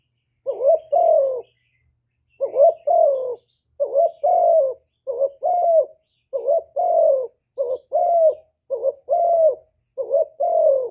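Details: Full song in the hạp bổi style from a spotted dove, used to excite decoy birds; steady run of paired coos, each a rising short note and a longer dipping note, close together after an opening pause.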